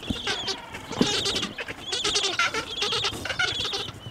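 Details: Gentoo penguins at Orne Harbor give harsh, braying, goat-like calls in rapid pulsed bursts, with several birds overlapping in a noisy colony chorus.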